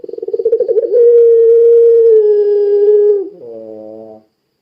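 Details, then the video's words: Puter pelung dove singing energetically, a lure to set other doves calling: a rolling, throbbing low coo swelling into one long, steady, hooting note lasting about two seconds, then a softer, buzzier ending. "Suara Burung Puter Pelung Gacor Sangat Ampuh Menjadikan Puter Lain Ikut Bunyi"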